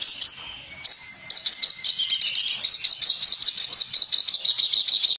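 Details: Reed warbler training recording of harsh song: after a few opening chirps, a rapid, continuous run of scratchy, chattering high notes repeated many times per second, loud and steady until an abrupt stop.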